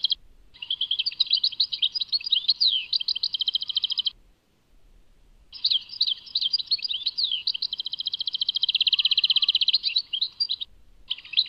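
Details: Goldfinch song labelled Tadmait: long high-pitched phrases of quick twittering, sliding whistles and buzzy rattling trills, broken by a short silence near the middle and another near the end.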